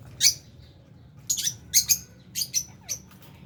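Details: Pet lovebirds feeding alongside budgies give sharp, high chirps and squeaky twitters. An isolated chirp opens, then short clustered bursts follow after a pause, with a faint low hum underneath.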